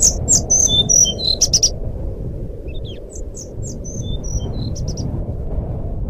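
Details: Fluting song of a sikatan rimba flycatcher, used as a lure for a silent caged bird: an opening rush of loud, piercing whistles, then softer, slower high notes spaced out, all above a steady low rumbling background.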